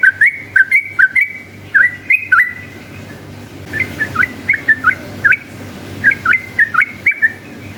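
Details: Yellow-vented bulbul, a lure recording to draw answering song from other bulbuls; fast bursts of liquid whistled couplets, rising and falling, in runs separated by short pauses, with a steady low background hum.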